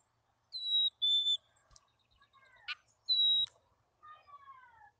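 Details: Chickadee at a wild nest cavity near Emigrant, Montana, mid-June 2022: two clean whistled notes, the second lower, later a repeat of the high note, plus softer descending slurred notes and a brief clatter.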